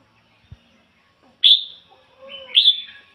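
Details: Decoy red-whiskered bulbul gives two short, clear whistled 'ngoi bổi' phrases about a second apart. A faint click comes just before them.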